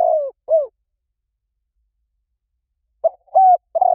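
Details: Spotted dove lure call, heard only in partial phrases: the tail of one cooing phrase with two falling coos, a long pause, then the opening coos of the next phrase.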